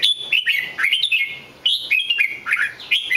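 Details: Short stretch of red-whiskered bulbul song: loud, liquid whistles sliding up and down, several quick phrases packed close together with only a brief dip in the middle.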